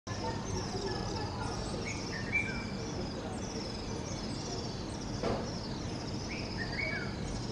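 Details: Little swifts, recorded 03 08 24 at S Shiv Ngr, give thin, high, shrill trilling calls repeated through the clip over a steady low rumble of background noise, with a single sharp knock.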